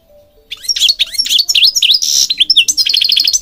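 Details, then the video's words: Goldfinch, Morocco, singing a rapid sequence of V-shaped chirps, a buzzy note and a fast closing trill. "Singing Goldfinch King goldfinch singing"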